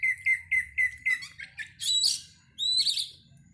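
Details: Oriental magpie-robin song used as a lure before a contest: six sharp, repeated whistled notes at an even pace, followed by louder buzzy, slurred phrases with high, squeaky overtones.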